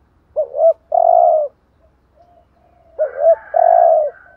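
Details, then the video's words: Spotted dove 'thúc gù' coos used as a decoy for other doves: two loud phrases about three seconds apart, each a looped double coo then a long, buzzy, slightly falling coo, with faint soft coos between. "chim cu gáy thúc gù bài bản/ Tiếng chim cu gáy kích bổi và mồi rất xiêng gáy"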